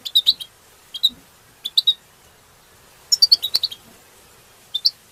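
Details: European goldfinches singing to stimulate others and for mating; clusters of two to four bright, high tinkling chirps separated by short silences, with a longer fast twitter near the middle.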